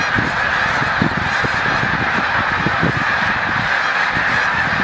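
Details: Migrating snow geese at Montezuma, New York, 7 March 2022, taking flight: countless honking voices blend into one constant nasal din, with intermittent low booming pulses.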